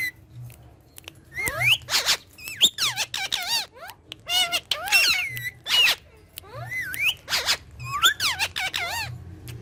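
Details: Pair or group of green talking parrots having fun together: scattered upswept squeaky notes and rich harmonic squawks in irregular bursts, with near silence between calls.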